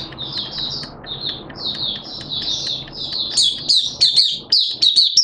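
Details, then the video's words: Song of a Malaysian Oriental white-eye kept by a hobbyist: soft, high chirping at first under low rumble, growing louder into sharp, rapid twitters in the last two seconds. "Malaysian Mata Puteh Buka Sing"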